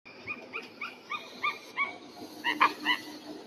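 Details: Eagle calling in a series of short, thin, slightly rising yelps, about three per second. Each note is clear and tonal with bright overtones, and the last few come louder and closer together. Faint background hiss throughout.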